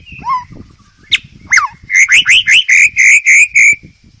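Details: White-rumped shama in the wild, recorded to train young birds. A falling whistle and two sharp upsweeps lead into about eight loud, ringing, repeated notes. Faint low background rumble.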